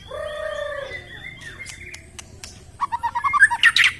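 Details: White-rumped shama song to rouse lazy shamas: long steady whistled tones followed by clicking notes, then a quickening series of short chirps building to a loud burst.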